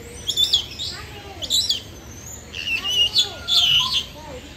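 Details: African grey parrot at Jurong Bird Park, Singapore, gives bright, high chirps and short whistles in four quick bursts about a second apart, with faint lower sliding tones between them.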